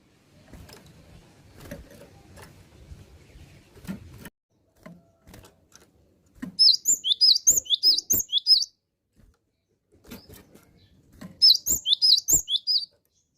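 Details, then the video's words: Cinereous tit (gelatik batu) in full, vigorous song: two bursts of high, sharp whistled notes, each dipping then rising, about three per second. Sharp clicks and soft rustling fill the gaps. "GELATIK BATU YANG SUDAH GACOR"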